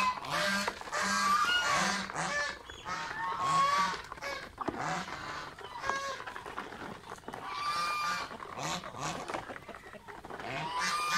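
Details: Pet geese feeding on mango give a long run of hoarse honks in irregular bursts, some notes rising and bending, with quieter gaps between groups.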